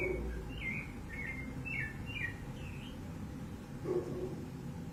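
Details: Wild, free rufous-bellied thrush recorded 15 November 2020, giving a phrase of about six clear whistled notes, some rising and some falling, across three seconds against a constant low background hum.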